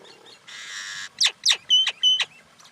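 Common myna giving a harsh, rasping half-second squawk, then four quick, sharp notes that sweep steeply downward, the last two carrying a clear whistled tone.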